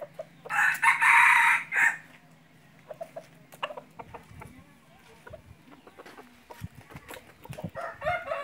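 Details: Decoy red junglefowl cock used to lure wild junglefowl for hunting, crowing once loudly in a harsh, strained cry of a little over a second, then soft scattered clicks and clucks, with a second crow starting at the very end.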